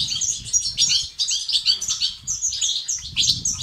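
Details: Short burst of European goldfinch 'bitbita' and 'sts' song, meant to spur males into singing: fast, sparkling, high twittering phrases, soft low noise below.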